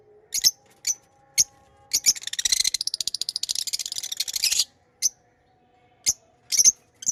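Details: Pet lovebirds giving sharp high chirps, singly and in short bursts, with a dense chattering rattle of rapid notes in the middle; a faint steady hum runs underneath.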